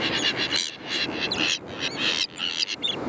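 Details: Dense chorus of common terns at a breeding colony, many birds overlapping with shrill, scratchy, slightly downslurred calls, almost continuous, above a background hiss.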